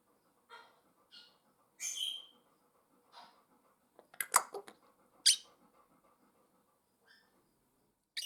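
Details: Pet African grey parrots in a house giving a mix of noises: short harsh squawks, sharp clicks and a burst of rapid rasping sounds, spaced irregularly with quiet gaps, in a small indoor room.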